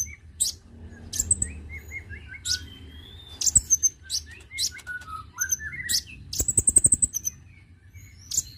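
A Konin gives sharp, very high chips mixed with short, falling whistled notes and a quick rattling trill near the end; the calls come in bursts.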